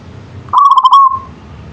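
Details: A local zebra dove delivers a single burst of fast throbbing coos ending in a smooth sustained whistle, against soft low background noise.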